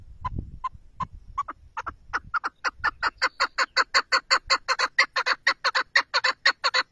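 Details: Chukar partridge calling in a long series of harsh clucking notes that start slow and spaced, then speed up and grow louder into a rapid, steady chatter, with low rumbling noise early on.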